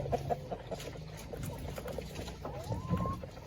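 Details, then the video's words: Village chickens in a coop during feeding: soft, low clucks scattered through the clip, then a thin rising drawn-out note near the end, over a steady low background rumble. "Ayam kampung"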